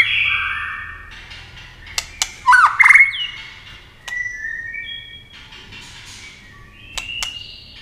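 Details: White-rumped shama singing fast in competition, with wing flashes and tail play: whistled tones, a loud chattering flourish, scattered clicks and quieter high sustained whistles, low hum in the background.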